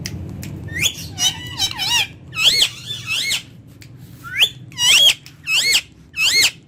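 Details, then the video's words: Ringneck parakeet speaking Urdu and Hindi words face to face: a run of about eight high, harmonic, wavering syllables in uneven bursts, with a low hum underneath. "Ringneck Talking Parrot Speaking Face To Face In Urdu Hindi"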